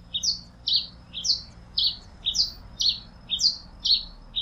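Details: Singing Pileated finch: rhythmic high two-part phrases, a short lower chirp then a brighter downslurred note, repeated steadily about every half second, clear over faint background hum.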